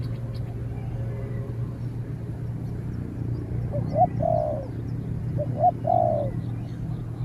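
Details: Spotted dove, a trained bird taken out to challenge a wild dove that answers from a distance before being driven off; two short, low cooing phrases a couple of seconds apart over a steady low hum.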